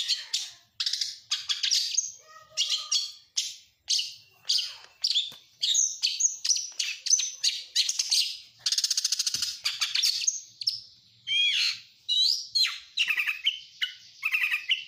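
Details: Oriental magpie-robin singing continuously, its song crammed with copied lovebird, canary and prinia phrases. It is a long, varied stream of chattering bursts, buzzy trills and sharp whistled notes.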